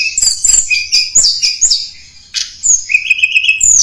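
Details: Blood-breasted Flowerpecker lure song for attracting wild birds: very high, thin twittering with rapid sharp chirps, short down-slurred whistles and a brief trilled run near the end, delivered in quick irregular bursts with little background sound.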